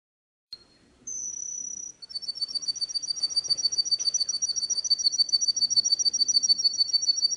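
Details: Canary song for training young birds, without faults: a sharp click, then a sustained high buzzy note, followed by a rapid, even, high-pitched trill that grows steadily louder.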